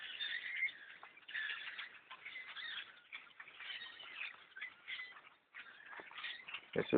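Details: Masses of blackbirds crowding a hunter's tree stand while bow hunting keep up a restless, overlapping chatter of creaky squeaks and chips, dipping briefly near the end before a loud thump.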